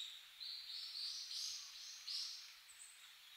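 A hawfinch gives a few thin, high, sharp ticking notes, irregularly spaced over three seconds, against a faint background hiss.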